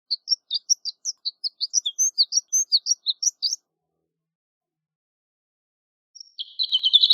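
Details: Shore lark (horned lark) giving a long run of evenly spaced high chips, about four per second, then after a pause a buzzy rapid trill of tinkling notes.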